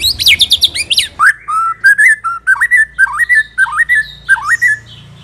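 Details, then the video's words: Lure recording of a white-rumped shama: rapid high twittering notes, then a run of rich whistled phrases with up-and-down slurs, given about twice a second, loud and clear. "80% COCOK untuk memikat murai batu AGAR LANGSUNG NYAUT dan GACOR"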